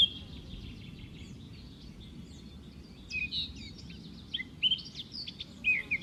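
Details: Young white-eye being fed, a small chick that eats greedily. Soft high twittering at first, then sharper chirps and brief rising squeaks in the second half over low steady background rumble.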